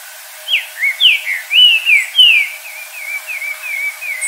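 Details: Green-winged saltator in the wild at dusk, singing 'virando canto'. Rich whistled phrase of descending slurred notes. Six strong notes come first, then a run of shorter, quieter, evenly spaced whistles trailing off. There is a soft hiss behind.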